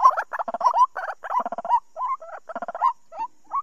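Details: Lure sound for trapping white-breasted waterhens, 2020 season: grating, gobbling notes in quick clusters, some rising at the end, thinning toward the close.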